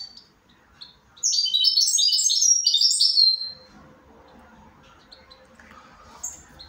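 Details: A single lively goldfinch phrase of fast, high, tumbling twitters lasting about two seconds, followed by quiet with faint distant chips.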